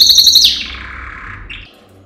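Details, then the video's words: Brief burst from a singing yellow canary, male Serinus canaria, in training song: a loud high pulsing trill ends in a sharp note, then a fading lower tail and one soft final chirp. "Yellow Canary singing video - Serinus canaria - Canary Training Song"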